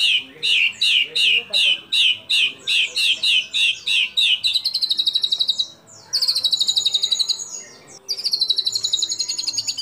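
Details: White-rumped shama singing a shooting competition phrase with mimicry fills favoured by judges: about a dozen sharp, repeated slurred notes in a steady run, then fast buzzy trills at high pitch.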